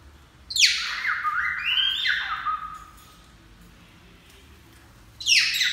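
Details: Cockatiel speaking "Que menino bonito" and singing. Bright, raspy notes sweep steeply downward and then level off into a long warbling phrase, followed by quiet and a fresh harsh sweep at the end.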